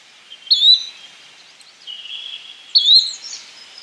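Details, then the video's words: Yellow-bellied flycatcher giving two clean, upslurred call notes a little over two seconds apart, over faint background chirps. "Yellow bellied Flycatcher Bird Sound"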